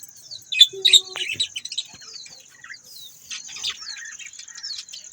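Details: Budgerigars making quick high chirps and short warbled notes, a louder cluster early then softer scattered chatter, over a steady high-pitched whine.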